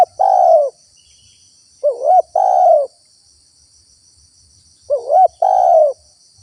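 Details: Spotted dove coos used to lure wild doves. Three phrases roughly every three seconds, each a quick wavering upward note followed by a drawn-out, gently falling coo. Faint low thumps and a persistent high insect buzz are also heard.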